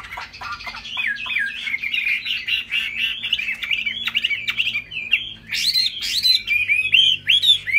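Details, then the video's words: A laughingthrush sings loudly while beating its broad, fig-leaf-like tail. It gives a continuous stream of rich, slurred whistles with quick chattery notes at the start, ending in sharp, high, swooping phrases. "Hót cao cầu đập đuôi khướu"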